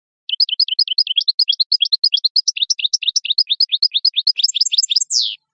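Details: European goldfinch singing, recorded for teaching fledgling goldfinches their song: quick high twittering phrases speeding into a buzzy trill, finishing with a harsh falling note; nothing else heard.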